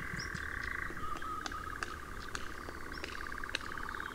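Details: Nightjars in Ringwood Forest near Verwood, Dorset: a quieter pulsing churr runs throughout, wavering in pitch, with sharp clicks and taps scattered over it and a short high whistle near the start.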